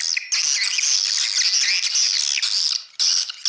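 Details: Lure track of swiftlets used in swiftlet houses: dense, continuous high shrill chattering and buzzy twittering with almost no pause, briefly dropping away near the end before resuming, with no low sounds.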